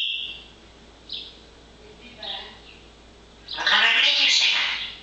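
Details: Pet parrot, very busy and chattering away in fine weather: soft speech-like murmurs, then a loud harsh burst of raspy chatter lasting about a second near the end.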